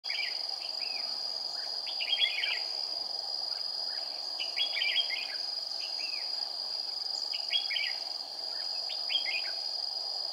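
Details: Red-whiskered bulbul used as a decoy while trapping, singing a combative fighting song on a 40-degree day, 20 April 2019: short warbled, chirpy phrases in bursts every second or two over a loud, steady insect drone.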